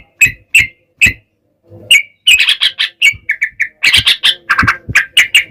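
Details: Sooty-headed bulbul singing as a lure for other bulbuls: three spaced sharp notes open the phrase, then a dense burst of rich chattering and whistled notes.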